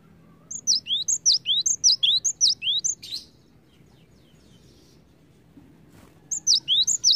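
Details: Cinereous tit singing a lure song meant to prompt other birds to sing. A quick run of ringing high whistled phrases repeated about seven times, then near silence before a new bout begins.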